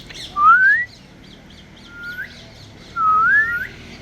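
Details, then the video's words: Two clear rising whistles from an African grey parrot, each sweeping smoothly upward, separated by a soft level note, with light chirping in the background. "African Grey Parrot whistling and making sweet sounds"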